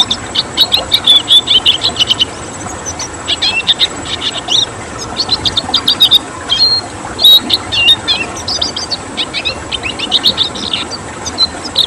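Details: Red siskin, a rare protected finch, repeatedly bursting into high rapid chirps and twitters in the 'tembakan' song style, phrases separated by brief pauses, against continuous background hiss.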